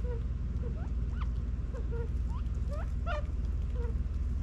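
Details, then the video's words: California quail feeding and running around in a Las Vegas, Nevada backyard in fall 2022 give soft, brief upslurred notes, several birds overlapping about three times a second, over a steady low rumble. "quail sounds and running around"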